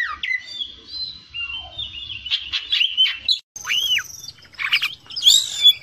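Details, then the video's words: Kacer (Oriental magpie-robin) used for training: slow sliding whistles, a loud arched whistle, and harsher bursts, with faint low background noise. "MASTERAN KACER JADI FIGHTER"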